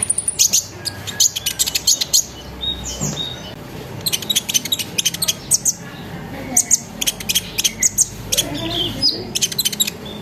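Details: Sunbird singing energetically as a lure to set other sunbirds singing: dense bursts of very high clicking chirps broken by brief pauses, with some faint low voices or noise in the background.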